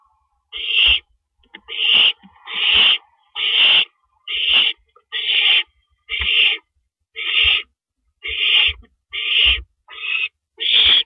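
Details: At a nest during a rabbit delivery at 2:52 in the night, April 15, 2012, an owl gives a steady series of twelve raspy, hissing screeches, each about half a second long, roughly one per second.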